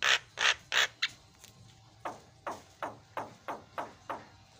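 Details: Javan myna song used as a master recording to prompt other mynas to call: a run of harsh, broadband rasping notes, then a series of falling, scratchy downslurs spaced about every third of a second.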